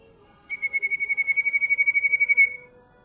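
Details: A bar-winged prinia gives a shrill song: a rapid, even trill of pulsed notes on one high pitch, about two seconds long, then silence.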